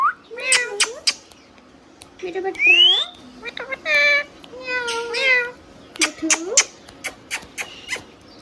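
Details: Hand-tame pet Rose-ringed parakeet talking, mimicking speech as short harmonic syllables with a rising whistled glide, bursts separated by short gaps, some sharp clicks between phrases.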